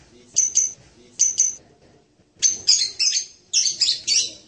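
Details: Serindit, a hanging parrot of the genus Loriculus, producing thin, high squeaky notes in pairs, then a quicker run of shrill chirps after a short silence.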